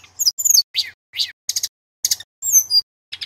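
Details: Male Sunda robin singing for magpie-robin song training: a string of separate harsh, buzzy chips and scratchy notes with one long descending thin whistle, spaced by short gaps.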